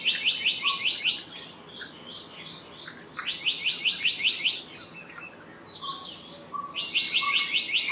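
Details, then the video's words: Black-naped monarch singing three quick bursts of six to seven bright, evenly spaced notes, separated by short pauses. Scattered low chirps from other birds are heard between them. "Black-naped Monarch Song! Black-naped Monarch Call! Black-naped Monarch Sound"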